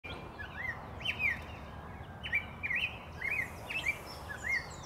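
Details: Golden grosbeak (Pheucticus chrysogaster) in Quito, Ecuador, 27 January 2019, giving short, rich slurred whistles in quick uneven bursts, several notes each second, over a steady background hiss.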